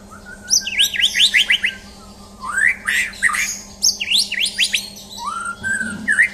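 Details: Champion white-rumped shama (murai batu) singing during a mental test: loud whistled phrases of rapid rising and falling sweeps in short bursts, separated by brief pauses, with a low steady hum underneath.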